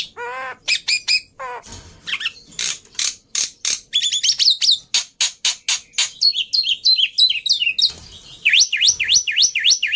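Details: Chatty black-winged myna song meant to prompt mynas that have stopped singing: wavering low whistles open, then harsh rasping bursts, tangled high chatter, and a final series of sharp rising-and-falling whistled sweeps repeated about twice a second.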